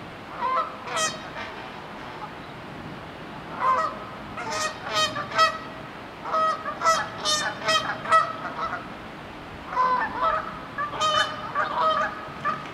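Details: Several Canada geese squabble, with bursts of rapid, overlapping harsh honks and cackles coming in clusters with brief pauses, loud and agitated throughout.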